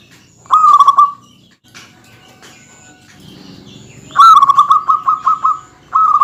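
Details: Local zebra dove singing a dense song meant to provoke rival males: a rapid stuttering trill near one pitch, one short phrase followed by a longer, more broken phrase of quick beaded notes, with faint rustling between them.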